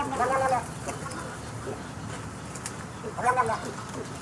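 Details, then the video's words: Snowy egret giving two nasal, wavering squawks with rich harmonics, one at the start and one about three seconds later, with faint low murmurs between. "Snowy Egrets' funny noises"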